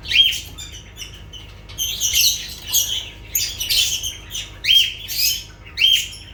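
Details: Lovebirds calling in shrill, grating squawks mixed with short whistled squeaks, bursts repeated roughly every half second, over a low hum.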